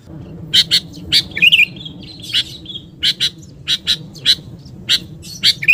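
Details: Sooty-headed bulbul calls used as a lure: loud, sharp chipping notes, often in pairs, with a brief warbled whistle in between, over a low steady background hum.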